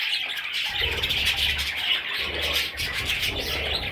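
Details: Baby parrot chicks chirping in a continuous high, raspy chorus, accompanied by a low humming rumble in the background.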